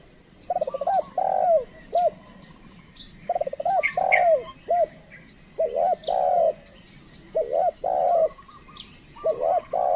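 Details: Decoy spotted dove, a trained bird calling wild ones, coos repeatedly in throaty two- and three-part phrases with short rising notes and longer falling coos, while many small birds chirp sharply overhead.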